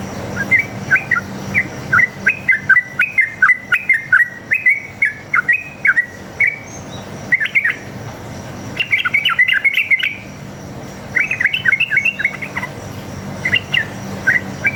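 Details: Sooty-headed bulbul giving long rapid 'ropel' fighting song from the forest, meant to prompt answers: a lengthy bubbling stream of whistled notes, broken by brief pauses and restarts, with a low steady hum beneath.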